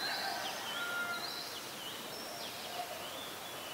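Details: Olive-backed sunbird in the mangrove forest of the Sirinart Rajini centre, giving thin, high, sweeping notes that rise and fall in quick succession over a steady hiss of background noise.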